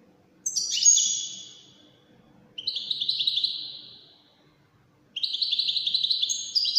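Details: Three loud phrases from a European goldfinch singing Widani style: a descending jangling burst, then a rolling buzzy trill that fades, then a quick twittering run, with quiet gaps between. Background is nearly silent.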